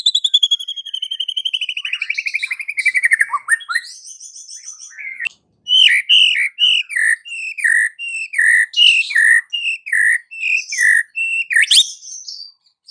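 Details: White-rumped shama singing in the afternoon as a lure for a silent bird: opens with a long fast trill sliding downward, then a steady series of clear whistled notes repeated about every half second.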